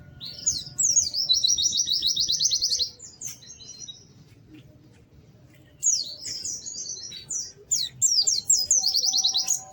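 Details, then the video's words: White-eye in lively, melodious song: a long, rapid, high buzzy trill of even chirps, a quiet gap with a low rumbling murmur behind, then renewed bursts of sharp down-slurred tweets. "Kicau Burung PLECI GACOR MERDU"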